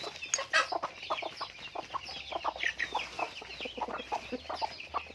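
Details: Farm chickens clucking together, a series of short, evenly spaced clucks and brief squawks from several birds, with a louder burst early on.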